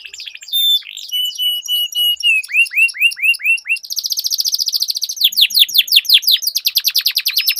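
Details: Canaries singing in a duel, the song meant to trigger silent canaries into singing: pure whistled notes, then a run of repeated downslurred notes about three per second, shifting into fast trilled rolls and rapid repeated chips.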